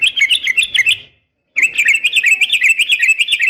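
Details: A female yellow-vented bulbul's fighting call aimed at a male: high, rapid chattering notes in a tight burst, a short break, then a longer unbroken stream of fast, bubbly chatter.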